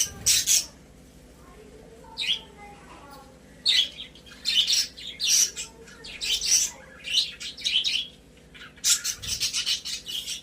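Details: Pet budgerigars in a cage indoors, a happy flock: bursts of sharp, scratchy chirps and squawky chatter come in clusters with short quiet gaps, bright and high-pitched, in a small quiet room.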